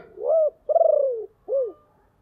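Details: Decoy spotted dove with a deep, hoarse voice, calling to lure wild birds. Three coos: an arched rising-falling note, a long buzzy, pulsed note sliding downward, then a short arched note.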